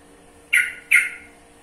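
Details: Sooty-headed bulbul (trucukan) giving two short, bright whistled notes about a third of a second apart, each sliding slightly downward and fading, with a low steady hum underneath.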